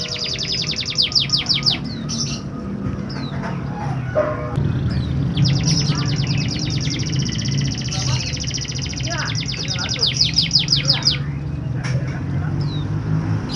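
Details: Canary song played to stimulate canaries reluctant to sing: bursts of rapid, high, evenly repeated trill notes alternating with short whistled phrases and pauses, over a steady low hum and faint background murmur.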